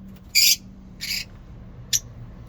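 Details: Lovebirds in a mini zoo in the morning: three short, harsh, high chirps spaced about half a second apart, with quiet background between them.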